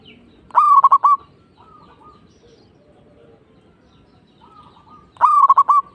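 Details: Staccato cooing song of a local zebra dove: two rapid bursts of clipped, evenly pitched notes set about four and a half seconds apart, with soft drawn-out coos faintly audible in between.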